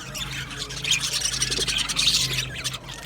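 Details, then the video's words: Aviary budgie colony giving continuous high scratchy warbling and chirps, with a faint low hum running underneath. "Budgies chirping sounds"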